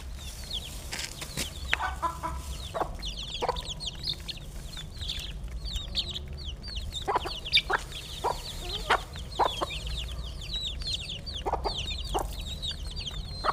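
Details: Flock of chickens being fed: continuous high-pitched chirping and peeping, many overlapping short notes, punctuated by frequent sharp clicks like pecking or feed striking, over steady low background hum.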